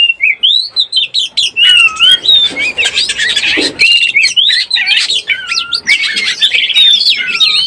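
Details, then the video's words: Excited Oriental magpie-robin in breeding condition, used as a trapping lure: a dense, continuous stream of varied whistles, upslurs, downslurs and harsh chirps that barely pauses. "SUARA BURUNG KACER BIRAHI_SUARA PIKAT BURUNG KACER"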